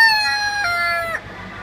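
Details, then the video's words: At an Easter Show, a rooster gives a loud, harmonic crow that holds steady, steps down in pitch, then breaks off sharply after about a second, with quiet background after. "Rooster Crowing!"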